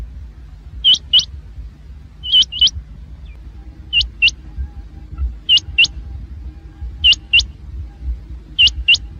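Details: Rain quail heard during net hunting gives sharp, high, upslurred double notes, a pair roughly every one and a half seconds, over a faint low rumble.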